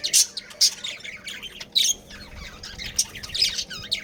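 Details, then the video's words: Budgerigars in a breeding colony giving sharp, high squawks in separate bursts roughly every half second, with softer chatter filling the gaps. "Budgies Breeding Pair | Budgies Family"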